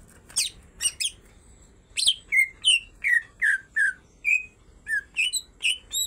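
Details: Female and male greater green leafbirds singing energetically: a few sharp high chips, then a regular series of clear descending whistled notes, roughly three each second, with short pauses between.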